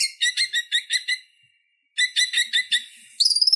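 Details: Purple-throated sunbird, konin, singing a chattering song used to tutor other songbirds: rapid series of short buzzy stacked notes, a pause, then a second burst ending in a high thin trill.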